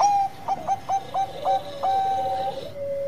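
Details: Lure recording of a Bangkok-type zebra dove in full song to get other doves singing. Short, clipped coos stutter in a rapid stepped rhythm, then one long, level, pure cooing note, then a lower, sustained tone.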